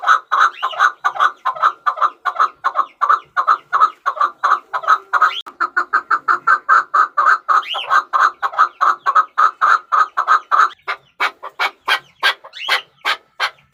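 A chukar gives a long series of harsh, clucking chuck notes, three to four a second, speeding into sharper, louder notes at the end. No other sounds stand out.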